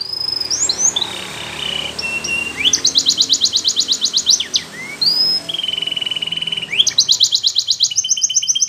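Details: Singing Belgian canary gives fast trills of repeated high notes alternating with lower buzzy held tones, set against steady background hiss.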